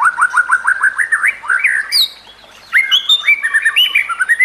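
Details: White-rumped shama (murai batu) song for training other shamas: a quick series of repeated upslurred whistles, a brief pause, then varied wavering phrases.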